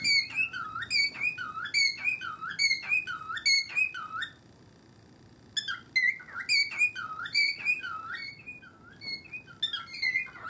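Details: Two pet cockatiels repeat a strange rhythmic call, begun when one sees its owner's feet. Each phrase is a fast string of whistled, harmonic notes that rise then drop, repeated about once a second, with a short silent pause midway.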